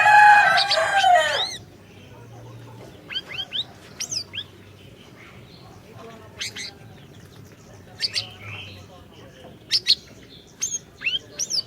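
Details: Orange-bellied leafbird song used to coax a silent bird: opens with a loud, harsh, harmonic squawk, then sparse, thin, high whistled slurs in pairs and short groups across quiet background.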